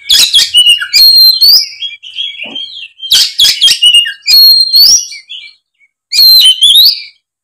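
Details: Oriental magpie-robin in fighting mode, singing as a lure to get reluctant magpie-robins to sing. Three loud bursts of rich song. Each has harsh, scratchy broadband notes mixed with clear whistles that slide upward, separated by short pauses.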